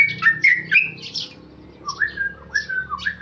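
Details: Tame male Sooty-headed bulbul in ropel song, bubbly whistled notes tumbling quickly, followed by a few slower, slurred whistles.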